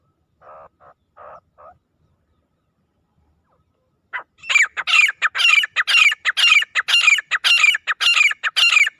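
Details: Grey francolin, a wild jungle bird: a few faint low notes, a pause, then from about four seconds a loud run of harsh, high, rapidly repeated notes, nearly two per second, continuing steadily to the end.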